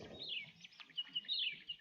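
Horsfield's Bronze-Cuckoo giving high, thin, descending whistled notes, repeated in quick succession with small chirps between them.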